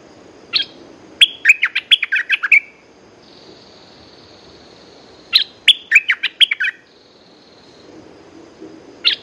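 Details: Two lively phrases of rapid chirped and warbled notes from a caged red-whiskered bulbul, separated by a pause with a faint steady tone, and a single note closing the clip.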